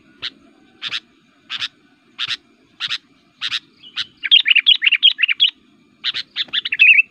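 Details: Sooty-headed Bulbul (kutilang) in persistent, aggressive fighting song meant to provoke rival bulbuls. A series of short, sharp chirps spaced about half a second apart gives way to a fast, bubbly run of slurred whistled notes, then more chirps and warbles.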